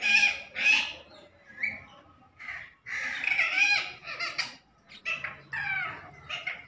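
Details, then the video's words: Parrot talking in short, scratchy, harmonic bursts and chattered phrases, quieter than a shout, with uneven pauses between utterances. "Parrot talking तोता - तोता बोल रहा है - Bolne Wala तोता - Best Talking Parrot"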